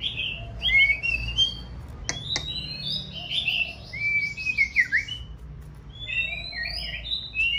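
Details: Female white-rumped shama in fresh plumage, singing to stimulate a male before breeding season. The song is a continuous, varied flow of whistles, trills and buzzy notes, with two sharp clicks just after two seconds.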